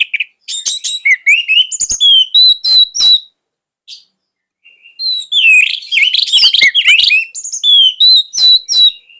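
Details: Singing orange-headed thrush used as a tutor for young spotted thrushes. Long stretches of rapid, varied whistles and chattering trills, thin high notes mixed with lower slurred phrases. A brief gap precedes another continuous, dense run.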